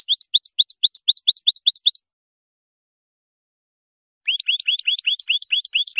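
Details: European goldfinch song: rapid run of high, sharply rising twittered notes repeated evenly for two seconds, a silent pause, then a denser burst of bright chirping twitters; no other sounds.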